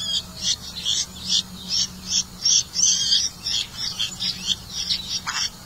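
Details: Red-vented bulbul catching crickets for its young; a steady stream of short, high, scratchy chirps repeated roughly three times a second, fairly even in loudness, with low hum underneath.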